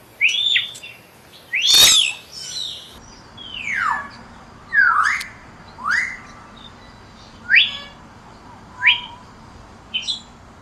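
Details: Common hill myna giving a series of loud whistled calls, a harsh broadband note then sharp falling and rising whistles spaced about one to one and a half seconds apart.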